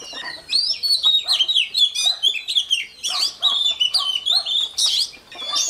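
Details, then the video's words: Oriental magpie-robin lure bird in morning voice training to fire birds up: a dense, rapid stream of high whistled and chattering notes, slurred up and down, run together almost without pause. "Chòe than mồi hót luyện giọng mỗi sáng nhanh lên lửa"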